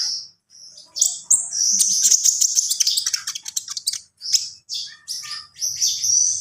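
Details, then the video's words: Javan pied starling singing a full, varied song: harsh chattering bursts, high whistled notes and rapid scratchy trills in quick succession with brief pauses. "SUARA KONIN GACOR FULL ISIAN"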